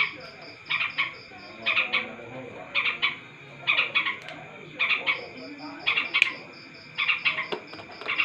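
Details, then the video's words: A vocal long-tailed shrike repeats short, rasping double-note bursts at roughly one-second intervals, a steady chattering rhythm over a continuous background hum and faint low noise. "cendet gacor ga ada ampun bikin satu kampung kumpul"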